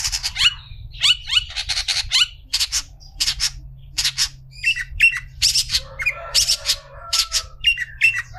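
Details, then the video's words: Long-tailed shrike tutoring other shrikes: a continuous stream of harsh, rasping notes and quick down-slurred chips, busy and varied throughout, with low humming noise beneath. "Burung cendet istimewa cocok untuk masteran burung cendet"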